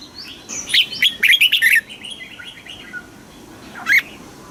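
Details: Red-whiskered bulbul from Thailand in southern master-style song, used to rouse caged birds. One rapid, chattering phrase of bright notes over a soft hiss, then a single short note near the end.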